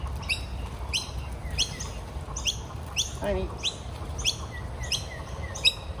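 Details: Young magpie, rain-soaked with wet feathers, being fed breakfast in the morning, gives a steady series of high, squeaky, rising calls, nearly two a second, with one lower, harsher note midway over a low background rumble.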